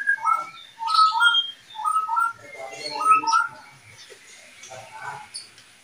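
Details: Caged oriental magpie-robin breeding pair: repeated paired mid-pitched whistled notes in quick bursts, a short harsh chattering patch, and scattered higher chirps, with faint background sounds.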